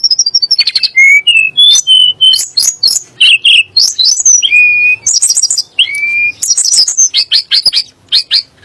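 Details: Sunda blue robin (tledek gunung) song used as a provocation to make kacer and muri birds sing. Quick repeated high notes lead into slurred whistles and rasping buzzy phrases, roughly three elements per second.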